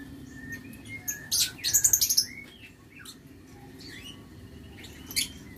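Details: Aviary lovebirds, 6 November 2022: a rapid burst of about eight harsh, high chirps in quick succession, then a few thin slurred whistles and one more shrill note near the end, low background hum throughout.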